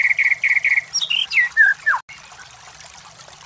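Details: White-rumped shama song used to provoke competition birds: three repeated buzzy notes, then a cascade of descending whistles, followed by quiet.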